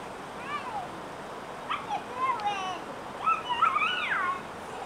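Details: Mountain quail, two adults with a large group of chicks at a riverside picnic area in Kings Canyon National Park, give soft, mewing, downslurred notes in three loose bursts a second or so apart, over steady hiss.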